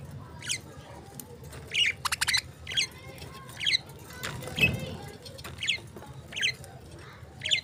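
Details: Lovebirds giving sharp, high chirps and squawks, irregularly spaced about every second, some in quick double bursts, over a low background rumble.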